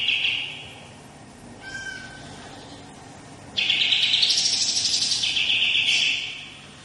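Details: Long rolling song of a bird known locally as kapas tembak, recorded for master training: a brief trill, then a quiet stretch with a faint note, followed by a sustained three-second run of rapid, high, buzzy trilled notes that rise and fall.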